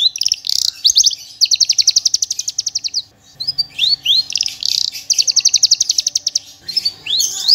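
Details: Tutor recording of a parva Javan bush lark in full varied song: long rapid trills of evenly spaced notes, broken by rising whistled slurs, delivered clear and loud with fast, shooting bursts.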